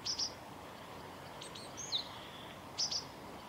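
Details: Japanese tit giving call notes at Kanigaya Park on 20 February 2022: thin, high paired notes three times, with quieter notes in between, over a soft background hiss.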